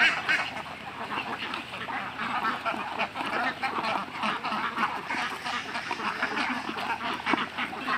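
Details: A flock of Khaki Campbell domestic ducks on a duck farm of about 500 birds in Muktagacha, Mymensingh, Bangladesh quacks continuously, many harsh, nasal calls overlapping into a steady chatter without pause.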